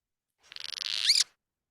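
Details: A Cliff Swallow gives a quick, buzzy rattle of about a dozen pulses ending in a squeaky, arched downslur, all in under a second; this call is given only on cool, cloudy days and signals that food has been found.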